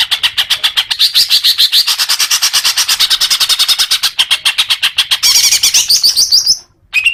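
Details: Rapid chattering from a greater green leafbird: a steady stream of quick, high notes at about three to four per second, closing in a shrill wavering burst, a brief silence, then a short whistle.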